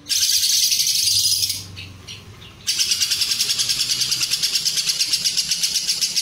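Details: Lovebird ngekek song with long Cililin fill, for training competition birds: a loud buzzy chattering trill, a short break with background rumble, then a continuous fast pulsed trill resumes.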